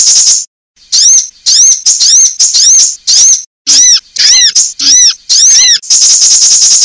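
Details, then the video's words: Female sunbird call used as a lure to draw other sunbirds and to prompt caged sunbirds to sing: a rapid series of sharp, high, arched chirps with bright overtones, broken by short pauses and ending in a buzzy, sustained stretch. "Pancingan kolibri cepat bunyi"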